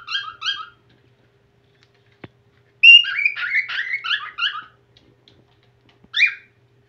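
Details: Whiteface cockatiel starting to sing again: short bursts of clear, warbling whistles. A brief two-note phrase is followed by a longer run of rising and falling whistled notes and a final short note, with quiet gaps between.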